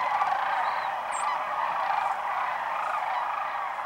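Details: Thousands of wintering sandhill cranes fly in wave after wave to Whitewater Draw, southeastern Arizona, around noon on January 1, 2012, after morning foraging in fields; a dense, continuous chorus of rolling, trumpeting calls, with a brief high chirp.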